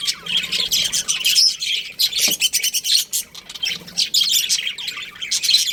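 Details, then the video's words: A colony of budgies calling over one another, bursts of raspy squawks and twittering chirps rising and falling in loudness every second or so. "Cute Budgies Chirping Sounds"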